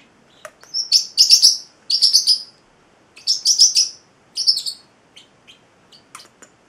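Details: Male Celestial parrotlet, eight weeks old, kept as a pet, giving bursts of high, buzzy chirping notes in short clusters separated by brief pauses, then a few faint clicks.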